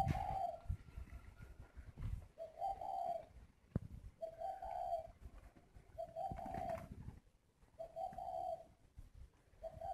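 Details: Large, tame male spotted dove raised by hand, cooing in its whistle-like 'còi' style: five evenly spaced soft coos, roughly every two seconds, over low rumbling handling noise.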